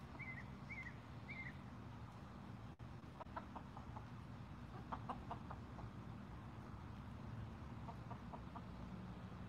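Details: Three quick whistled chirps from another bird open, then scattered short clucks come in small bursts from six Golden Comet chickens eating watermelon on an evening outing.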